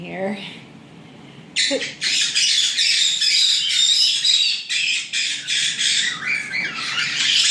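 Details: After a quiet start with a faint call, nine white-bellied caique babies in a Texas aviary burst into harsh squawking chatter at about one and a half seconds, pulsing in bursts roughly twice a second.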